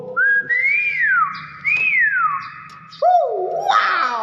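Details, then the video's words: Captive common hill myna imitating speech: clear whistled notes sliding up and down in long bends, then a lower drawn-out nasal vocal sweep, with a person's voice nearby indoors. "burung beo ngomong wakwaw"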